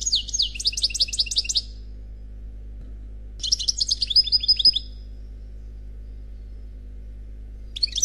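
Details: Khalwi song from an unpaired European goldfinch: high, rapid, twittering phrases about a second and a half long, separated by quiet gaps, each ending on a thin drawn-out note.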